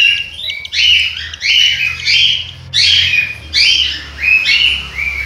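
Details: Cockatiel chicks in the nest in Juazeiro do Norte, Ceará, Brazil, giving raspy, rising begging calls in repeated bursts, several overlapping, about once every second, with a low hum in the background.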